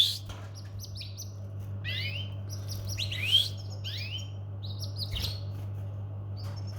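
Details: Domestic canary giving bright, short chirping calls: quick sweeping notes delivered in scattered bursts with brief pauses between them, a few louder notes near the middle, all over a steady low electrical hum.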